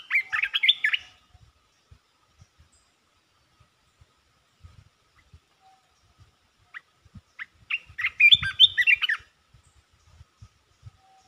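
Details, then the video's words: Red-whiskered bulbul, kept as a cage bird, sings rapid 'poet dok' phrases: two bursts of quick, tumbling, whistled chirps several seconds apart, with soft low clicks and taps in between. "เสียงนกกรงตาแดง จ้าวหยกเปิดดอกรัวๆ"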